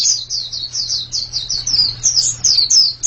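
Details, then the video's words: Pleci, a white-eye, in fast high song: slurred descending chirps running together in a dense unbroken string for three seconds, with a low electrical hum in the background. "Ini pasti pleci yang sangat super itu kicaunya"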